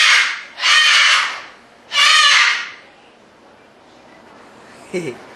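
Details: Two harsh, rasping cockatoo screeches while displaying, a second apart, followed by near silence and a faint short sound at the end.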